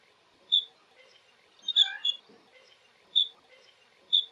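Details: Blue-cheeked bee-eater (Merops persicus) giving single high, clear chirps about once a second, with one slightly fuller, rougher group of notes near the middle.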